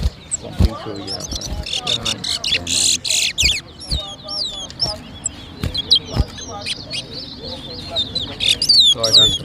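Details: Towa towa (seed finch) in a whistling competition at New Amsterdam, Berbice, Guyana, 2023: rapid, sharp whistled notes and slurred chirps repeated densely throughout, over people talking, music and loud knocking sounds.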